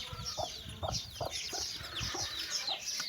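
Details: Mother hen calling her chicks to walk, giving low clucks about every half second, with a continuous wash of high, thin chick peeps above.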